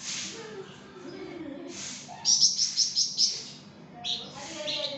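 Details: Flamboyan in lively song giving a fast run of five high, bright chirps mid-clip, with softer scattered chirps before and after it against low background noise.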